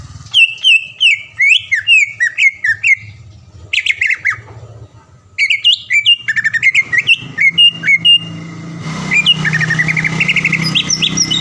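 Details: Champion caged greater green leafbird from Palembang pours out bursts of quick, varied whistles and chips, pausing briefly between phrases, ending in a denser chattering stretch with louder background noise.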